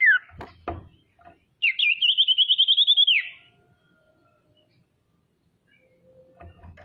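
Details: Excited female common iora calling as a lure to rivals: after a few knocks, one long, even, rapidly trilled whistle held for about a second and a half before dropping away at the end.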